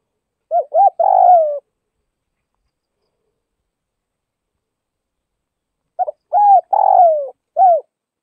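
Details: Spotted dove from northwestern Vietnam giving two cooing phrases about five seconds apart, each of short quick notes and a longer rough falling croo, the second ending with an extra arched coo.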